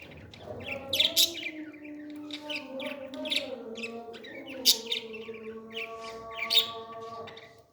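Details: Baby parrot during feeding, repeated shrill squeaks and rapid chittering in clusters every second or two, set against continuous gliding tonal background sounds.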